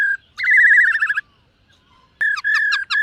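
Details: Caged black-throated laughingthrush singing in the morning during voice training, dancing style. A short whistle, then a loud wavering whistled phrase with rich overtones, a pause, and a string of clear level whistles.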